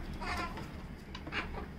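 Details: A female pet Yellow-collared Macaw, hiding in a cabinet indoors, makes odd nasal, bleating squawks in two short bursts, the first wavering and the second sharper. A person talks just before and after.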